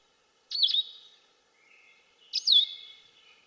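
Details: Blue-headed Vireo song in mixed woods in Canada: two clear, sweet whistled phrases, each with a slurred up-and-down turn, separated by a pause of nearly two seconds, more drawn out than Red-eyed Vireo.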